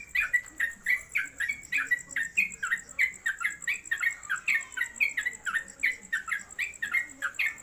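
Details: Caged yellow-vented bulbul (trucuk) singing in the rapid, continuous ropelan style at home. Busy chattering phrases of short, slurred, warbled notes tumble out about three per second without pause, over a steady faint high whine.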